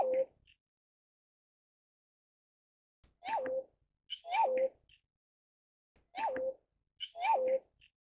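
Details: Pheasant-tailed jacana (Hydrophasianus chirurgus), filmed in Taiwan, giving nasal, cat-like mewing notes that rise then drop, in pairs about a second apart, each pair roughly every three seconds; otherwise quiet.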